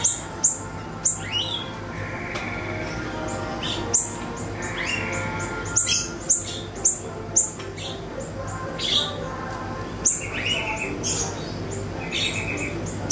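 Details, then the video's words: Lure recording of siri-siri (ashy tailorbird) for training songbirds: a busy mix of sharp high clicks, short chirps and a few longer buzzy trills, some in quick runs, over a continuous low hum. "PANCINGAN SIRI-SIRI BAHAN DI JAMIN NYAUT"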